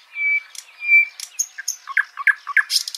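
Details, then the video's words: Backyard birds in Washington State: two clear whistled notes, then a jumble of chirps and squeaky chips from more than one bird, ending in a burst of high twittering. "Backyard Birds (4K) 2 Hour Ambient Nature Film with Real Bird Sounds - Washington State"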